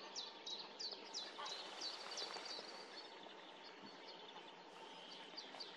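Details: Common snipe at Tranholen in 2024 giving sharp, high, clipped notes repeated about three times a second, steady and chipping, over a constant background hiss.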